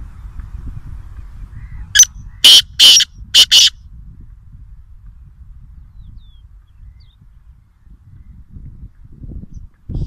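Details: Wild black francolin (kala teeter) in Nawabshah, Pakistan, gives a harsh, grating phrase of five loud broadband notes in about two seconds: a short opener, then longer rasping notes. Low rumbling background noise before and after.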